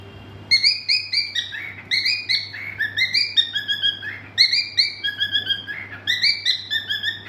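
A cockatiel sings a run of bright, whistled phrases, each note sliding and repeated in quick bursts.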